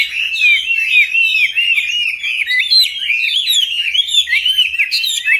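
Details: Caged Chinese hwamei, kept since young and now in its fifth year, singing a rich, continuous warbling stream of rapid slurred whistles that rise and fall without pause, with a few higher sharp notes over the top.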